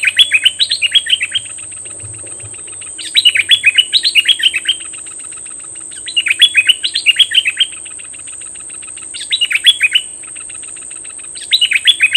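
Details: Fierce decoy Cream-vented bulbul, May 2021, singing short bursts of rapid, bubbly whistled notes, each phrase rising and falling, repeated about every three seconds with quiet gaps and faint ticking between.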